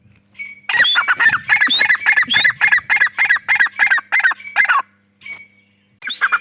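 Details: Grey francolin calling: a loud, fast run of harsh, ringing double-toned notes, roughly three per second, with a brief pause and a restart near the end.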